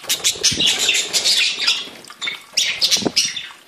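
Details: Several budgerigars, different individuals kept by a breeder, chattering together: dense bursts of scratchy warbling and short chirps, with brief quieter gaps between bursts.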